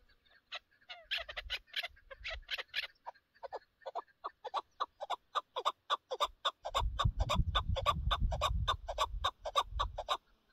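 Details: Chukar partridge linked to partridge hunting, producing quick chuck notes that become a fast regular series of about four calls a second, with rumbling noise joining in the second half.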